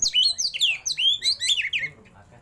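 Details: Oriental magpie-robin singing the 'roll tembak' style with showy 'isian' fill-ins during a tail-opening display. A rapid stream of downslurred whistles and buzzy chirps runs for two seconds, then stops.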